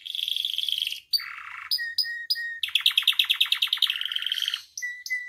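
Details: Song of a caged canary meant to train and stir other canaries. Dense buzzy trills alternate with short clipped whistles, then a pulsing trill of about three notes per second speeds into high rolling phrases.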